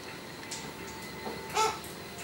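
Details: A tame Australian king parrot (Alisterus scapularis), one of a local population fond of bird seed, gives one brief, harsh, nasal squawk over a faint steady hum and a few soft rustles and taps.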